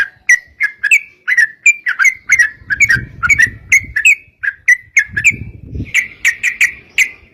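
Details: Lure recording of a sooty-headed bulbul in vigorous song: a long run of quick liquid whistled phrases, chirpy and chattering, delivered back to back, with a soft low rumble in the middle.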